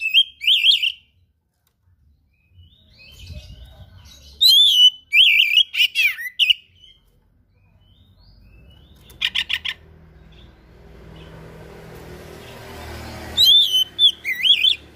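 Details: Oriental magpie-robin (kacer) in full, active song packed with rare learned material, offered as tutor song: bursts of sharp whistled and chattering phrases high in pitch, separated by silent gaps of several seconds, with faint low background hum.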